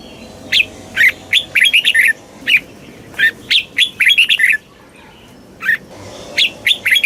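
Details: Red-whiskered bulbul song of the southern Thai master style, meant for stimulating caged birds and teaching young ones; rapid, dense runs of chirpy warbled notes with a short pause, then more notes.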